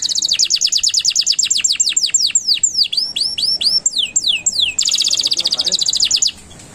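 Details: Canary in long, continuous singing, used as master recording for training pet songbirds: rapid high trills of repeated notes, then sweeping downward whistled slurs, ending in another fast buzzy trill.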